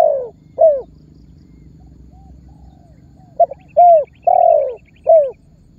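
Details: Spotted dove calling to lure other birds into calling. A falling coo and a short coo, a gap, then a full phrase: a double note, a coo, a long drawn coo and a falling final coo, with faint high chirps in the background.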